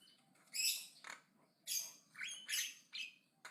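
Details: Javan myna chattering loudly and aggressively: a series of short, harsh, rasping bursts, several with a quick upward sweep, spaced roughly half a second apart.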